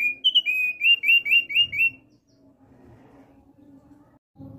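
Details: Male thick-billed white-eye giving a burst of about seven clear whistled notes in two seconds, slightly wavering in pitch, followed by quiet with faint low background noise.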